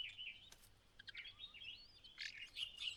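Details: ['On fledging day, a mother white-browed laughingthrush calls her single chick out of the nest: bright, squeaky chirps and short rising whistles in uneven bursts, with a faint low hum beneath.']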